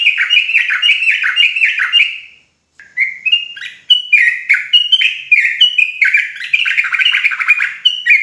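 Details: Rolling ropel song of a Javanese sooty-headed bulbul, meant to rile other trucuk birds: dense overlapping slurred whistles, a brief pause near two seconds, then steady repeated falling notes several per second.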